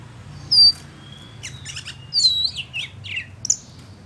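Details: Oriental magpie-robin singing to anger another male: a thin high whistle, then scattered soft chirps and short warbled notes, fairly quiet with gaps.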